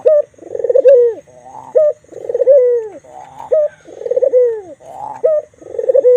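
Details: White Barbary dove, black-collared, cooing energetically in a quiet place; each phrase pairs a clipped high note with a long trembling coo that curves downward, recurring about every two seconds.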